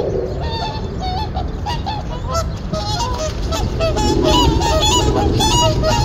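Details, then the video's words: Whooper swans wintering together on a reservoir, a group of five or six calling and fighting after returning in the morning; quick, fairly regular honks, sparse at first and then swelling into a louder, denser chorus. "저수지에 울려 퍼지는 큰고니 함성,싸우는 큰고니"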